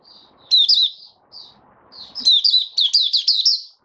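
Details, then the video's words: Male white-eye singing while settling into form: high twittering warbled phrases, a short burst then a longer run of rapid chirping notes, over faint low room noise. "Mata Puteh Raja Stablizing his form buka sing"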